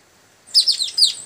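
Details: Young Asian glossy starling calling to its companions: after silence, four quick high sharp chirps in under a second, each descending slightly, clear and close.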